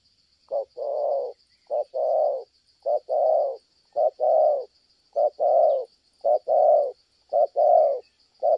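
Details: Spotted dove from Kon Tum with a fine "thổ âm" (earth-tone) cooing style, cooing well until a female interrupts; low hollow two-part coos, a short note then a longer rounded one, repeated about every 1.2 seconds over a steady high insect drone.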